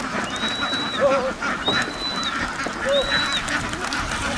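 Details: Farm ducks in a busy quacking chorus. Three long, level high whistles recur about every one and a half seconds, each with a short wavering lower note.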